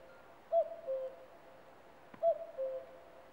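A common cuckoo gives its soft, hollow two-note 'cuck-oo' twice, the second note lower, about two seconds apart against quiet background hiss.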